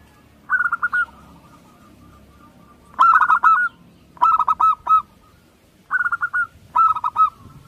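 Zebra dove giving five quick bursts of soft, staccato cooing notes, each a rapid run of four to six low pips, with short pauses between.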